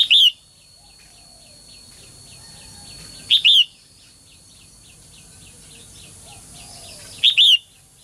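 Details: Female songbird calling to prompt lively singing from males; three loud two-note chirps spaced about every four seconds, over a fast faint chirping pulse and a continuous high-pitched tone.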